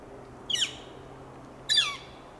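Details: Northern flicker foraging in Del Monte Forest, California, giving two loud, harsh, descending single-note calls about a second apart, each about a quarter-second long, over a steady low background hum.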